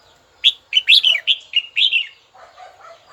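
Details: Red-whiskered bulbul, kept and fired up, calling a rival with a flowing phrase of about seven whistled notes, some slurred downward, followed by soft, low twittering.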